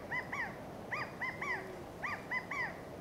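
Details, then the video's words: Male California quails in Monterey pines, Del Monte Forest, California, giving the loud three-part 'chi-ca-go' contact call, arched nasal notes with the last drawn out, about once a second; given when separated from group or mate, or when a covey moves. "The Sound of California Quail"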